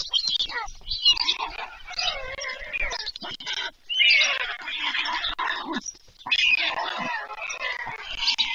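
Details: Begging white stork chicks during an evening feeding, Poltava region, Ukraine, 21 July 2024: harsh, rasping, mewing calls in repeated surges of one to two seconds, several voices overlapping.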